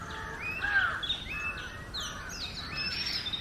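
An Oriental magpie-robin sings a varied run of clear whistles and slurred notes, some rising and some falling, over a steady background hiss.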